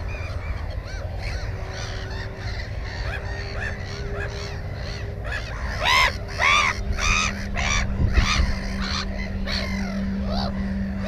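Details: Nesting black-headed gull beside one egg and a chick, GoPro 4 recording from 15 May 2016: scattered distant calls, then a burst of loud, grating, rising-falling cries midway, with a constant low hum beneath.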